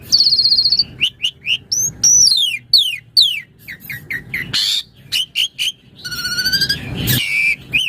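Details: Asian pied starling singing a master song meant to train other birds; high sweeping whistles and short falling chirps, then a buzzy harsh phrase and a brief rasping burst near the end.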